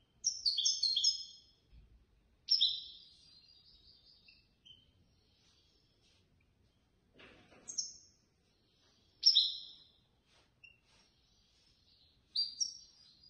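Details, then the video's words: Competition European goldfinch, third place at a contest organized by a Casablanca bird lovers' association; short bursts of high twittering notes repeat every few seconds over thirteen seconds, with a soft click midway. "الحسون الفائز بالرتبة الثالثة في المسابقة"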